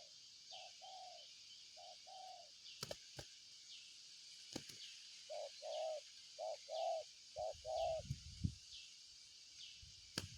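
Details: Spotted dove cooing: two-part soft hooting phrases, mid-pitched with a slight rising then falling shape, given in several bursts about a second apart. A steady high, downward-sliding chirp repeats throughout in the background, with a few sharp clicks.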